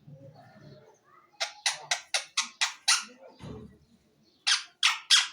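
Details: Pet green ring-necked parakeet: after soft indoor murmuring, a run of about seven sharp, harsh screeches at an even pace, a brief low rustle, then three more piercing shrieks.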